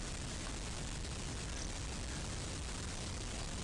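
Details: A constant loud rushing hiss covers everything, with no animal sound.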